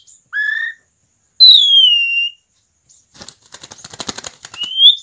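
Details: Asian pied starling singing energetically, used as a lure to prompt other starlings to sing: clear separate whistles, one long falling whistle, then a burst of rapid harsh clicks and a rising whistle.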